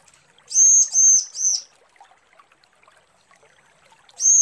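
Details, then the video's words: A female bar-winged prinia calls to the male with three loud, high, buzzy notes in a quick run, a short quiet pause, then a fourth note starting again. Faint background chirps are audible throughout. "Suara ciblek betina panggil jantan"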